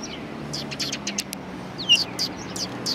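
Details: Sparrows at a Tenmangū shrine on 1 March 2020, giving short, bright chirps scattered through the moment, some soft and some sharper, over a low steady background hum.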